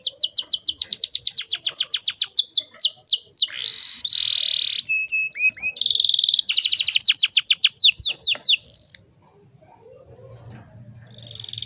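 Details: Canary, described as a female in breeding condition used as a lure to make males sing: fast rolling trills of sharp descending notes, several trill types in sequence, a buzzy burst near the middle, then near silence with a low hum.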